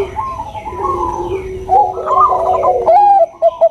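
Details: Zebra dove, Bangkok perkutut, female calling a male: a low droning coo with warbling upper notes building to a dense rolling phrase, then a few clipped coos.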